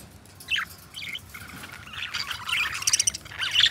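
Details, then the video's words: Pet budgies chirp sparsely at first, short whistles and squeaks, building into busier chattering toward the end. "Budgie Sounds: Birds Singing You to Sleep"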